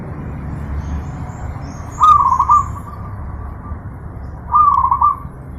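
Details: Master recording of zebra dove for pet-bird training: two rhythmic trilled coo phrases about two and a half seconds apart, each a string of quick pulsed notes, with a faint softer tail between them and a low rumble beneath.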